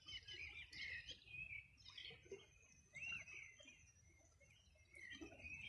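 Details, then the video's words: Several wild birds singing on the bank of the Rio Bueno, Los Ríos Region, on a summer morning in 2020: overlapping high chirps and warbled phrases, with a thin sustained whistle running through the middle, over a low rumbling background. "Sonido de las aves a orilla del Rio Bueno"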